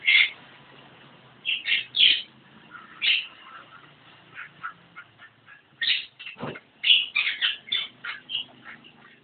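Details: A Javan myna singing in separate bursts of harsh squawks, clicks and shrill whistles, with quiet gaps of a second or more between groups of notes.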